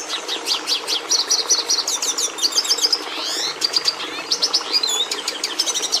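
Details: High Red siskin song: chirping series, repeated buzzy trills and a wavering slurred sweep around the midpoint, followed by quick chips and whistled notes, with a low hum underneath.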